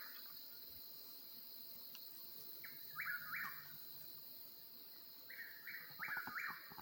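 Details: Eastern whip-poor-will singing at night in the Oklahoma mountains, its rolling three-syllable whistle repeated in quick succession, set against a continuous droning insect background.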